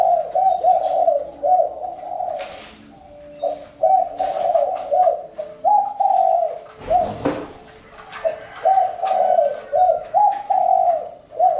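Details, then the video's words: Loud, close spotted dove giving repeated low, husky coo phrases in rhythmic bursts. A brief rustling thump is heard midway, with faint chirps from other birds. "Chim cu gáy-Đam mê tiếng chim cu"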